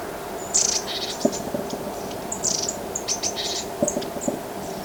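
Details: Japanese tit, a bird commonly met in Korea, gives high thin notes in short bursts, repeated every second or so, over a faint low hum with a few soft clicks.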